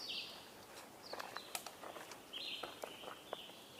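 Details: Scarlet tanager singing on 21 May 2022: a few short, hoarse, burry phrases, high and somewhat separated, the first at the very start and another after a pause of about two seconds. Sharp clicks and tapping, like footsteps, are heard between them.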